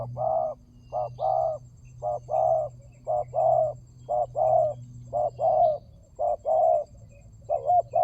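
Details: Lure recording of a spotted dove repeatedly cooing, soft short notes each followed by a longer hollow coo, about seven pairs in steady rhythm over a constant low hum and faint high background chirps.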